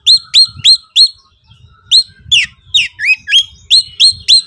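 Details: Agitated oriental magpie-robin singing konslet style to challenge a rival: a quick run of four sharp rising whistles, a pause, then a varied string of slurred and twisting notes, over faint low rumble.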